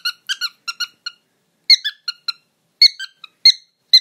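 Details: Pet bird giving a rapid series of short, bright, harmonic beeping notes in clusters, about a dozen pips over four seconds with pauses between bursts, indoors with no other sounds.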